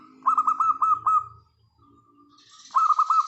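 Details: Local wild zebra dove song, used as a lure to stimulate silent birds to sing: a quick burst of about six hooked, ringing coo notes, a quiet gap, then another fast burst, with a brief hiss between them.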